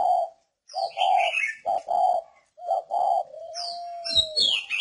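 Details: Northern Vietnamese spotted dove kept as a perch decoy bird, giving short, low, hollow coo notes in a broken series of about five phrases, ending in one long drawn note, while small birds chirp and twitter at a higher pitch.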